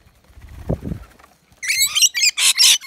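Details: Rainbow lorikeets visiting a balcony nectar feeder in Australia; a soft low thump comes first, then a sudden burst of loud, raspy shrieks repeated in quick succession.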